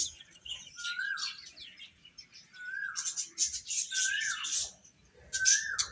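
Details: Baby chickens peeping as they feed. Bright high chirps come in bursts, and four short slurred whistles rise, then drop, spaced roughly one second apart.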